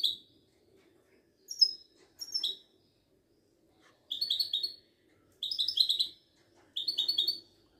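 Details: Caged Moroccan Widani goldfinch at a Casablanca bird market, starting with a few sparse thin whistled notes, then launching into three dense bursts of quick, jingling twitters and trills, in an otherwise quiet setting.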